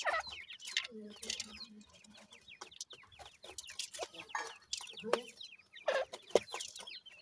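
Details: Francolin chicks calling: a dense stream of thin, high, downslurred peeps overlapping one another, mixed with sharp broadband clicks and thumps and a few low clucking notes.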